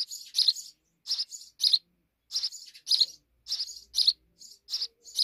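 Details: Sparrows in a deep wall nest chirp in little clusters of two or three quick notes, with short pauses between the bursts.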